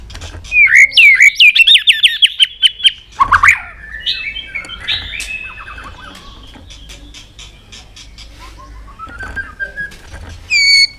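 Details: Fired-up white-rumped shama flicking its tail, pouring out a many-voiced song: a loud trilled run of repeated sharp notes, then varied whistles and sliding phrases, softer mid-song, a bright burst at the end.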